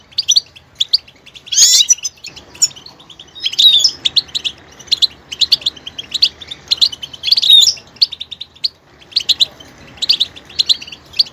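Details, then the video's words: Goldfinch song full of varied vocal details: bursts of high, rapid twittering and buzzy notes broken by short pauses, with quick rising and falling whistled slurs. "motivational ringtones that will take you on a journey with goldfinch"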